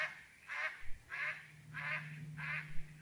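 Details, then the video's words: Four rasping, nasal duck quacks spaced roughly every 0.6 seconds, softer and set against a noticeable low droning hum and some rumbling. "duck sounds"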